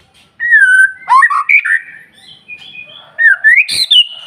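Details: White-rumped shama singing to stimulate other shamas: long clear whistles gliding downward, a jumble of warbled notes, then a rising whistle ending in a harsh burst.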